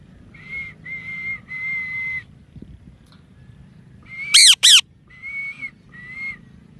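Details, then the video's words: A parrot gives drawn-out, flat whistled notes in a spaced series, then two loud, rasping squawks close together, followed by two softer level whistles. The background is fairly quiet. "Real Parrot Voices – Whistles, Talking & Chirping Sounds"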